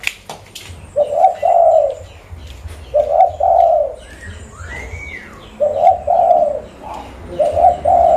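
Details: Lure zebra dove of local stock, Mutiara district, Pidie, Aceh: repeated gurgling coo phrases in two rolling parts, about every two seconds, with a brief rising-and-falling whistled note between phrases and light background rumble.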